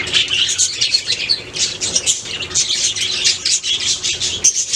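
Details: Budgerigar (Melopsittacus undulatus), warbling song.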